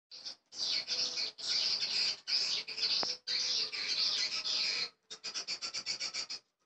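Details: An edited swiftlet call recording: long, high, rasping buzzy chatters, then a quick run of short, clipped chirps about eight to a second near the end.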